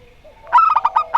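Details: Local Rondo Semoyo zebra dove versus a strange-voiced dove: a rising lead-in, then six quick, loud cooing notes in close succession.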